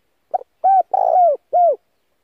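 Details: Spotted dove used as a decoy, calling to provoke and lure wild doves: one phrase of a short soft note, a mellow coo, a longer rolling coo and a final falling coo, with no other sounds.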